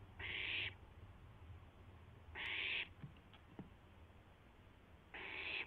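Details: Barn owl recorded just after midnight on April 12, 2016, as an owlet tries out its wings. Three rasping, breathy screeches, each about half a second, spaced about two seconds apart, over a low background hum with scattered clicks.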